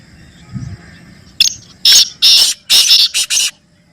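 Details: Grating black francolin call used for training pet birds to call: a short click, then five loud raspy bursts in a jerky rhythm, the last ones shorter and quicker, with a brief low thump before.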